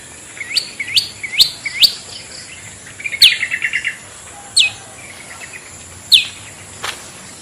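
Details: Long-tailed shrike lure sound meant to attract other shrikes; a few upswept whistled notes in quick succession, a short stuttering trill, then isolated sharp notes spaced over a second apart against a soft hiss.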